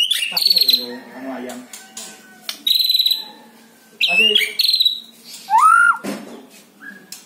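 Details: Captive white-rumped shama singing to lure another caged shama into song: loud, ringing high whistles in short bursts, interspersed with harsh chattering notes and a lower rising slurred whistle.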